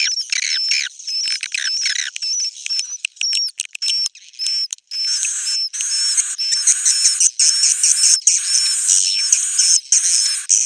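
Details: Roosting call of edible-nest swiftlets played to attract them: harsh chattering chirps with rising squeaky notes, a brief pause, then dense rhythmic twittering bursts topped by short repeated high whistles.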